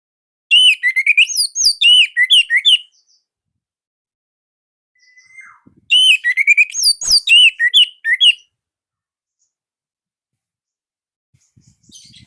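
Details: Orange-headed thrush from Indonesia sings nonstop as model song for stuck or quiet birds: two bursts of rapid, bright, rising whistled notes, each about two seconds long, with a quiet gap between.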